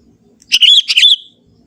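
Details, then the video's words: Natural song of a young forest sooty-headed bulbul, lively and free of mimicked inserts: two quick, chortling, mellow phrases with rolling pitch, nearly joined, set against a faint low hum. "suara kutilang muda hutan gacor suara asli tanpa isian"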